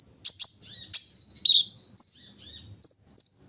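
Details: High, sharp chips and a long, thin level whistle from a brown-throated sunbird during its morning dew airing, followed by a few scattered squeaky notes.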